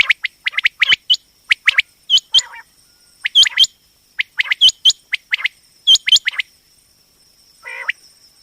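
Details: Female common quail, known locally as batair, used as a hunting and trapping lure: sharp, short high notes in quick clusters of two or three, repeated about every second, with a steady high tone behind.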